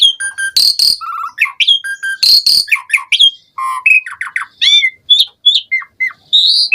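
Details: Asian pied starling singing a rich, varied song meant to prompt other starlings to sing: loud harsh screeches mixed with clear whistles, rising slurs and quick chattering notes in a continuous stream.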